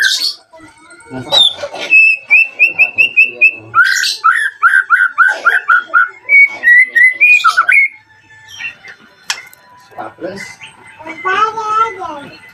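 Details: White-rumped shama song played to stir rivals into song and arousal: sharp calls, then a fast series of identical whistles, a run of slurred lower notes and rising whistles, and a trailing harsh, buzzy chatter.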